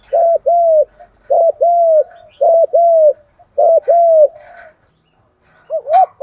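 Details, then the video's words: Calling and urging voice of a spotted dove, meant for training decoy birds: repeated two-part coos, a brief arched note then a drawn-out descending one, four pairs in quick succession, ending with a shorter fragment. "tiếng chim cu gáy dùng luyện bổi và tập mồi mới nhất bảo đảm hiệu quả, giọng gáy gọi và thúc"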